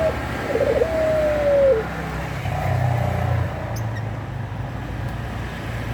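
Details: Mating-minded Eurasian collared dove (puter pelung) delivers a quick burbling roll and then a sustained, slowly descending hollow note; steady background rumble of traffic continues afterward.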